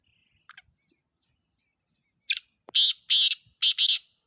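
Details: Black francolin, a Sindhi kala teetar described as pure Gangas Nasal and Chakri Wala, gives a run of loud, rasping, nasal notes: a short lead-in, then four grating bursts in two quick pairs.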